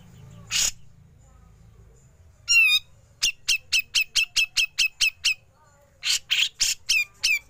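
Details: Grey-cheeked bulbul besetan followed by ngepik, used for training songbirds: a harsh rasp, a ringing wavering note, then a rapid run of about ten sharp clipped notes, ending in harsh buzzy bursts mixed with further sharp notes.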